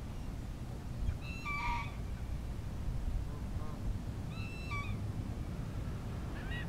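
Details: Ring-billed Gull pair at a community pond in Diamondhead, Mississippi, filmed January 2016. Two clear, slightly falling mewing calls about three seconds apart, a fainter note between them and another at the end, over constant low background rumble; Canada Geese also present.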